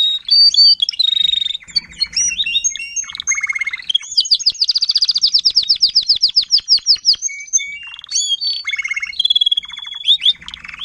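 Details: Tutor Timbrado canary in 2021 teaching young birds to sing: varied whistled phrases lead into a long, loud, evenly pulsed trill lasting several seconds, followed by slower chirps and clear whistles.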